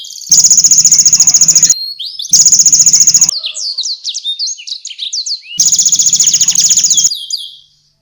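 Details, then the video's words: Energetic caged canary song used as a tutor for competition songbirds such as the magpie robin, with konin and blackthroat phrases. Loud, dense high buzzing trills in three long bursts. Quick whistled slurred notes come between the bursts. "KENARI GACOR UNTUK MASTERAN BURUNG JAWARA| full tembakan konin dan balckthroat"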